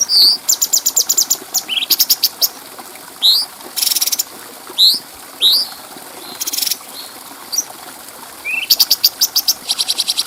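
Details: Cucak cungko bulbul recorded clearly for training other songbirds: rapid clicking runs, several rising whistled notes, two harsh buzzy bursts, and a closing series of fast high ticks.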